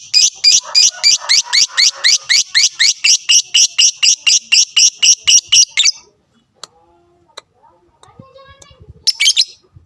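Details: Lovebird in fighter mode, meant to provoke rivals: a fast, even chatter of about twenty-five harsh notes over six seconds, then a pause with small clicks and a final shrill burst.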